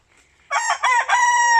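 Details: Brahma rooster crowing in a garden on 1 September, answering other roosters among three kept: a loud, harmonic crow in three segments, rising then held, a short break before a long steady final note.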